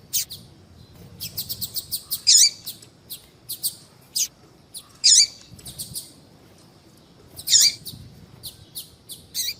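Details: Female double-collared seedeater calling for a male. Rapid strings of thin high chirps are broken by three loud, slurred, twisting notes roughly every two and a half seconds.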